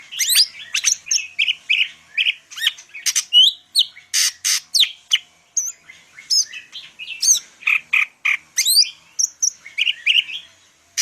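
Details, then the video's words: Long full-song passage from a Medan greater green leafbird (cucak ijo): sharp rising whistles, chips and buzzy bursts repeated rhythmically, roughly two to three notes each second. "cucak ijo medan_gacor full isian"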